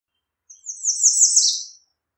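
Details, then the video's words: An American redstart sings a buzzy, high phrase that rises slightly, then slides down at the end, lasting just over a second. "American Redstart Singing - Candelita Norteña Cantando"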